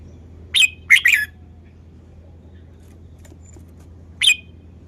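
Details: Red-whiskered bulbul song style: a hurried phrase of three crisp, chirpy notes, the last slurring downward, then silence and one more isolated sharp note, low hum throughout.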